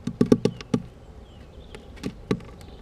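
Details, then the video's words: Woodpecker that has discovered a camera inside a bird feeder and knocks at it; sharp pecking taps in a quick burst of five, then three spaced knocks, no music. "Specht entdeckt GoProKamera im Futterhaus."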